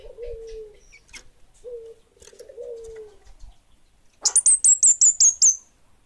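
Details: Orange-headed thrush, known locally as kemade bunga api, singing vigorously: soft low whistles first, then a fast burst of about seven loud, very high, sharply down-slurred whistled notes.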